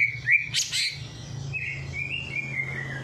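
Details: Bird singing straight after a night bath, meant to prompt idle birds to sing: a few sharp whistled notes and a brief noisy burst, then long level whistles over a low background hum.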